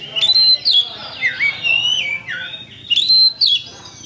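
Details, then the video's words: Oriental magpie-robin, champion kacer, singing a lure song to provoke rivals into fighting: two bright phrases opening with a high whistle, each sliding into long wavering slurred notes that drop and rise. "LANSUNG TARUNG ! PANCINGAN KACER JUARA"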